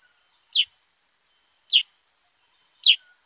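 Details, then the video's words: Black-headed bulbul giving three sharp, high, down-slurred chips about a second apart against a constant shrill background hum. "Burung KUTILANG SUTRA GACOR Bongkar Isian ( Pycnonotus Atriceps )"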